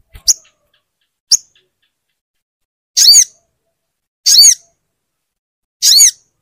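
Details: Caged crimson sunbird, kept as a tutor recording to coax a silent bird into singing: sharp high buzzy phrases, each about a quarter second long, repeated about every one and a half seconds after two thin chips.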